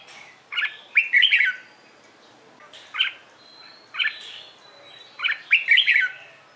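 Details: Morning competition song of a red-whiskered bulbul in training. Four lively phrases of liquid, tumbling whistles come about a second apart. Each phrase opens with a sharp note and rolls through quick up-and-down warbles, over a faint thin whistle in the background.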